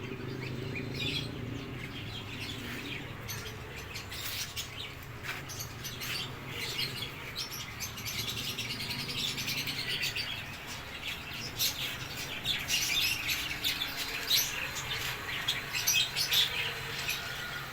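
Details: Cockatiels chatter in a busy flock at a bird farm, with many bright chirps and whistles overlapping over a low hum.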